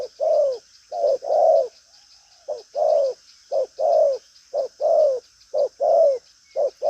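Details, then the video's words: Spotted dove of the 'đồng pha chân cua' sort, a strong cooer with bustling manner. Rounded coos in short-long pairs, one brief gap near the start, then steady repetition, with a persistent high-pitched buzz behind. "Đồng pha chân cua cứng gù| Nết chơi lăng xăng, thúc gù có lèo"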